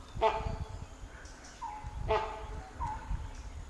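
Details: Great Hornbill in a Kaziranga National Park forest, Assam, seen on safari, gives loud harsh barks about two seconds apart with thinner whistles between. Its loud call earns it the name "mountain-echoing hornbill". A person talks over engine rumble.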